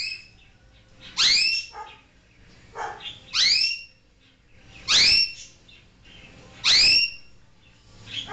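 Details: Pet African grey parrot, which the owner says talks, barks and makes other noises, gives four loud, high harmonic chirping whistles, each sweeping upward, repeated about every two seconds, with quiet room background between.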